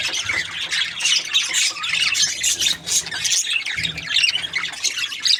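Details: Budgerigars chirping: a dense, overlapping flock chatter of high, scratchy chirps and warbling squawks that runs without pause, with brief louder bursts every second or so and a faint low hum beneath.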